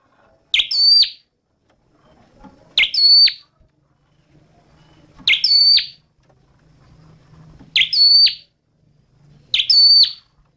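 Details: Five short, high flowerpecker phrases over ten seconds, each a crisp chip and brief level whistle ending in a downward flick, spaced about two seconds apart over a faint low hum.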